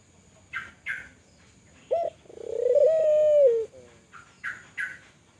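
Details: Spotted dove, Kelantan style, singing actively to stimulate other doves. A short clipped note leads into a long trilling coo that ends with a falling note; small chirps from another bird come before and after.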